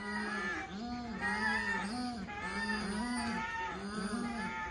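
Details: Paradise shelduck calling: a run of nasal, harmonic-rich honks, each gently arched in pitch, repeated roughly every second without pause, with a faint rural background.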